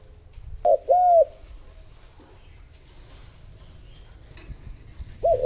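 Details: Decoy spotted dove used to call in wild doves, giving a single mid-pitched two-note coo, then another coo beginning after a pause of about four seconds, over steady low rumble and faint distant chirps.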